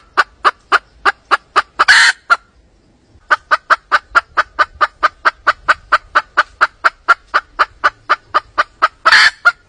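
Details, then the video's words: A junglefowl hen calling to drums gives a fast, steady run of clucking notes, about four a second, broken by two loud crashing bursts. "The sound of wild hens calling to drums is extremely accurate"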